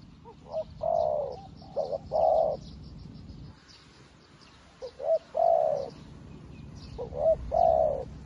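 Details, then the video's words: A newly kept decoy spotted dove calls to wild doves as ably as an experienced one. Three phrases of two or three short notes run into long, vibrating coos, separated by pauses, with a steady twitter of small birds in the background. "លលកថ្មីមែន តែធ្វើហៅព្រៃដូចធ្នាក់ចាស់"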